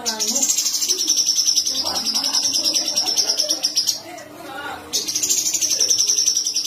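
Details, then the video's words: Cucak cungkok, or sooty-headed bulbul, giving the sharp rolling trill typical of its varied song. A long, very fast high buzzy trill continues for about four seconds, pauses, and restarts, with faint low background sounds. "Cucak Cungkok / Variasi suara"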